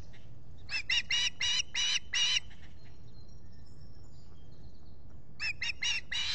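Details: Osprey at the Salt Point nest in the Finger Lakes region of the US, morning of 23 July 2021, with a visitor present. Two bursts of shrill, repeated whistled yelps are separated by a few seconds of quiet.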